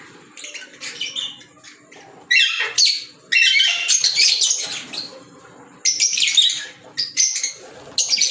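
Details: Green Fischer's lovebirds kept as pets, likely several birds, giving shrill squawks and high chirping bursts in uneven clusters, loud noisy chatter with short pauses between bursts.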